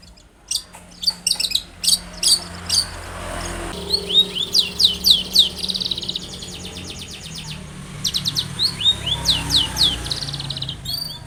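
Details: Long-tailed shrike in energetic song, used to make other shrikes respond: varied high chips, swept whistled notes and rapid trills repeated several times a second over a low steady background noise.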